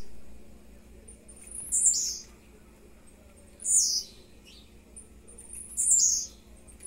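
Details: Blue-black grassquit singing three short, high, buzzy upslurred phrases spaced about two seconds apart, with a faint low hum and near-silence between the phrases.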